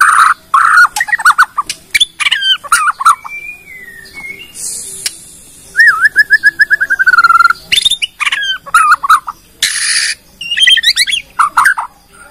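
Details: Bornean white-rumped shama singing a lure song that shows its full repertoire and draws other shamas to sing. Varied whistled phrases, sharp chips, a long even trilled whistle, and bursts of hissing noise between phrases.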